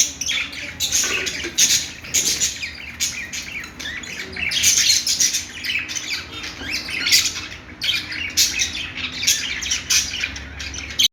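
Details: Budgerigar chirping: sustained noisy chatter of overlapping high chirps, squeaks and rasping squawks, swelling into louder bursts every few seconds, with a low hum underneath.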